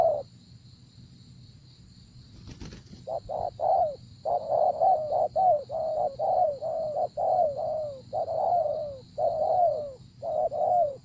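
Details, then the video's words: Spotted dove cooing during decoy luring ('gác cu gáy') of a wary wild bird. After a quiet start and a brief knock, low mellow coos repeat rapidly in short-long pairs, the longer notes sliding downward, over a faint steady high hum. "Gác Cu Gáy"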